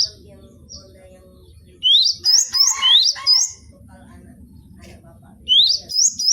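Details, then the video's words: Cinereous tit (gelatik batu) song on a training recording for cage birds. After faint quiet notes, bursts of rising whistled two-note phrases repeat quickly, with a short buzzy sound between them and a low murmur in the background. "MASTERAN GELATIK BATU BONGKAR ISIAN vol.01"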